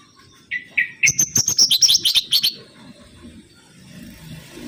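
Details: Lure song of the mangrove whistler, opening with two slurred whistles, then a rapid run of about a dozen loud, clipped high notes lasting under two seconds, followed by quiet hum.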